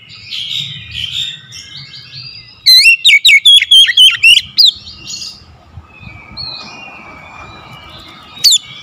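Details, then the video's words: A daily-kept oriental magpie-robin, prompted to sing, gives a two-second burst of rapid loud high chirps and twisted whistles, with soft distant bird notes before and after and one final sharp chirp. "KACER HARIAN MALAS BUNYI SEKALI PANCING LANGSUNG GACOR"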